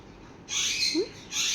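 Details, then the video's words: Playing sun conure parrots let out two loud, harsh, high-pitched screeches, the first lasting about half a second and the second starting right after a brief pause. "sun conure parrots playing"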